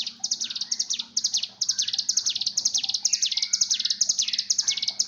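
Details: Lure recording of a mountain tailorbird's breeding call for song training: bright, high descending notes delivered in a quick chattering rhythm, a short pause early on, and fainter whistles mixed in beneath.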